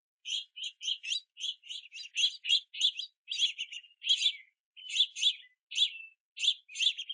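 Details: Begging juvenile house finches chirp insistently at a rainy backyard feeder while parents collect sunflower seeds; rapid, nearly continuous run of scratchy chirps, three to four per second, slowing toward the end with a few drawn-out notes.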